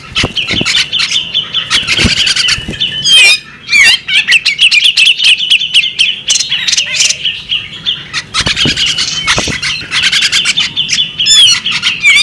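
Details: Female bearded magpie robin giving a long, loud run of varied chirps and slurred whistles, fast and unbroken, with sharp clicks and brief pauses near the fourth and eighth seconds.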